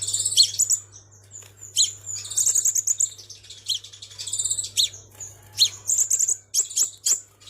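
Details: Crimson sunbird lure sound, Vietnam: energetic high-pitched trills and sharp chirps in quick succession, with short thin whistles between; faint low hum underneath.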